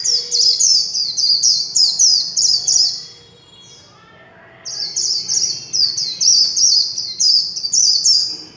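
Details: Warbling white-eye, a kept songbird, singing in the Vietnamese líu chòe style: rapid high sweeping notes in fast repeated bursts, a pause near the middle, then the run of trills resumes with no background noise.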